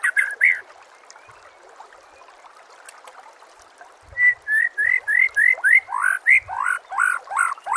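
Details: White-rumped shama (murai batu) song meant for training captive birds: after a quiet stretch of trickling water, a quick series of rising whistled notes, about four per second.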